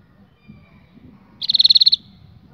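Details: Canary song: a single fast trill of about ten even, high pips lasting half a second, set against a quiet background with faint low rumble.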